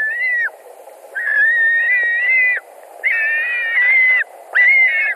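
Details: Calls at a white-tailed eagle nest in Latvia, 17 July 2020, 22:00, during a fish delivery with two adults arriving: four drawn-out, slightly wavering whistles with a harsh edge, each lasting about a second and separated by brief pauses.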